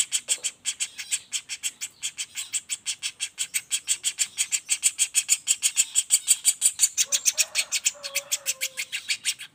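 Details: Young common flameback in a continuous rapid roll, a master for songbirds: rasping chips repeated quickly and evenly, with soft lower whistled notes appearing late.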